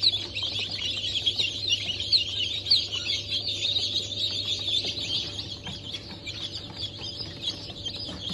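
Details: Chorus of freshly hatched Sussex, Sultan, Turken and Australorp chicks, 8 March 2024, many shrill peeps piling into a constant chirping wash, with a low steady hum beneath.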